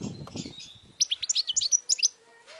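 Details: European goldfinch singing to stimulate young goldfinches to learn: after a low rumbling start, a fast run of high tinkling, twittering notes follows in quick succession.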